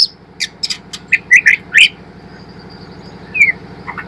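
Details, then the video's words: White-rumped shama, a spotted young bird learning to sing, used as a lure to spur birds into song: sharp clicks and short rising whistled slurs in a quick burst, then a pause and a faint whistle, over a low hum. "MURAI TROTOL FIGHTER belajar bunyi||pancingan murai trotol agar cepat ngeplong"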